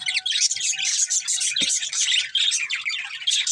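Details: Budgerigar breeding pair in continuous rapid, scratchy chirping and twittering, with a single low knock just after the midpoint.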